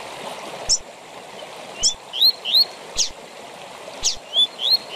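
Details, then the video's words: Tui tui zel zel song of a Double-collared seedeater, a style used for training captive birds: scattered sharp downsweeps mixed with rising whistled notes, two loose phrases, backed by continuous watery rushing noise. "TUI TUI ZEL ZEL DE FIBRA TOP PARA ENCARTE DE COLEIROS E PAPACAPIM"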